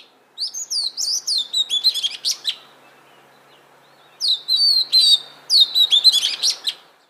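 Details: Song of an Oriental magpie-robin: two long runs of rich, varied whistles, slurred high notes broken by crisp chips, separated by a pause of almost two seconds.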